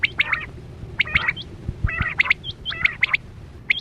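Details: Quail sounds for hunting with a net; clipped two- and three-note whistles mixed with grating chatter, bursts roughly every second, a few low thumps and a steady hum behind.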